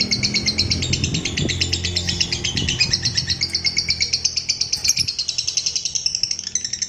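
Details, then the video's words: Long ngekek trill of a lovebird, played to train and provoke other lovebirds: one continuous high rattling, chattering trill sustained for the whole seven seconds with no break. "SUARA MANCING BURUNG LOVEBIRD NGEKEK PANJANG,MELATIH BURUNG LOVEBIRD NGEKEK PANJANG"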